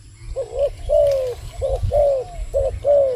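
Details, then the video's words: A wild dove repeats a brief coo followed by a longer, smoothly falling note, roughly once per second. It sounds over a louder rumbling low-frequency background. "លលកព្រៃនេះសម្លេងល្អគួរសម🤩🕊This wild dove sounds pretty good."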